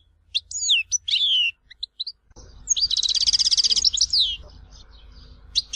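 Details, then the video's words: Goldfinch song in the Algerian Tizi Ouzou style, kept for breeders to play to young birds: a few sharp twitters, a pause, then a rapid buzzy rattling trill over a faint background hiss. "تغريد حسون تيزي وزو (كامل المقامات)"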